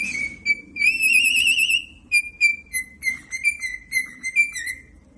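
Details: Singing pet cockatiel indoors, giving a long wavering warbled whistle followed by a quick series of short, clear whistled notes repeated about three times a second, slightly falling in pitch, with a faint room hum behind.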